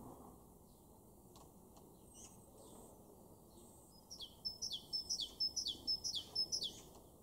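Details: Great tit singing in a garden in Weener, East Frisia, northwest Germany, in April 2023: a bright, ringing two-note phrase, high then dropping, repeated quickly about eight times over a steady low background rumble.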